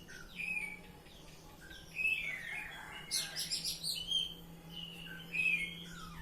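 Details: Oriental magpie-robin singing in the ngeplong style: scattered clear whistles and short rising notes, then a loud burst of rapid stacked chirps around the middle, with a steady low hum underneath.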